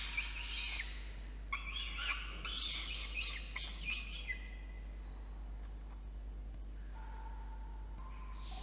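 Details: Peregrine falcon chick begging as an adult male delivers dinner at a nest box atop a water tower in Orange, NSW, Australia, 8:56 PM, 5 November 2021, nest camera; bursts of harsh, high harmonic wails, then a thin lower whine.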